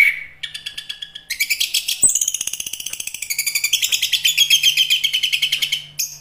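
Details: Chestnut-capped thrush (Geokichla interpres), song.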